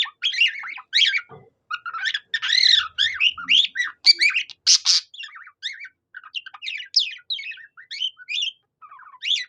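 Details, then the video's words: Pet budgerigar singing in imitation of a cockatiel: bursts of warbled, chattering notes with rising and falling whistles and a couple of harsh buzzy squawks, delivered in quick uneven phrases with short pauses. "A budgie that sings like a cockatiel"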